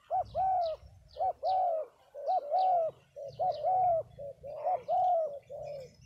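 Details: Spotted doves gathered in Đồng Tháp, Vietnam keep up brisk, overlapping mellow cooing about once a second, with faint high twitters from small birds and a low rumble underneath.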